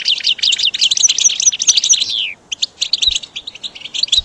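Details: Training song for caged goldfinches: a dense burst of rapid twittering and tinkling notes that ends in a long descending buzzy slur. A short gap follows, then sparser high chirps.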